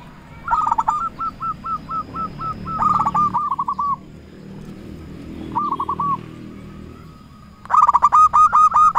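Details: Zebra dove of local stock, kept as a lure to call rival doves; evenly spaced soft coos form a steady rhythmic string, broken by loud, rapid, rattling bursts of cooing and a long pause in the middle.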